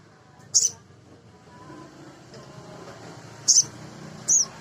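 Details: Male sogon sunbird recorded as a lure to get other sogon singing: three brief piercing chirps, widely and irregularly spaced, against a faint rumbling background.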